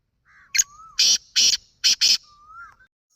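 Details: Black francolin calling, with a loud series of five harsh, grating bursts in two-one-two rhythm, framed by soft whistled rising notes before and after.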